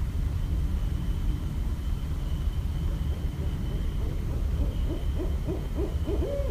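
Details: Westchester, New York barred owl, recorded 5.1.17: low rumbling background at first, then a run of quick hoots that builds toward the end of the recording.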